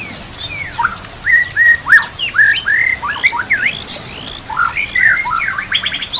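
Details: Training song of a white-rumped shama, set against nature and water sounds: clear whistled notes, many level or slurred, broken by quick sharp chips and downward sweeps in a lively, varied phrase.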